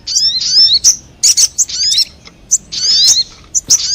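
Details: Bird lure recording of sogon: shrill twittering phrases of quick rising and falling squeaks, separated by short pauses.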